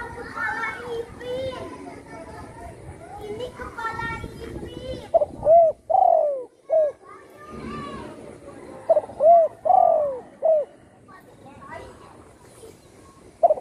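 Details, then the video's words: Spotted dove at home, previously shot and its wing broken, now singing actively; people talk through the first half, then two cooing phrases with stuttered starts, a long falling coo and short end notes. "burung tekukur,yg dulu di tembak orang kena sayapnya patah,kini sudah gacor di Rumah"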